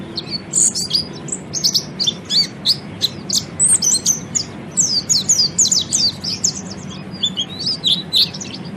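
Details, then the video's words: Oriental white-eye song played to train other birds to sing, a fast, lively run of high chirps and twittering falling notes, many per second, busy and continuous over a low steady background hum. "kicau burung peleci ngeriwik"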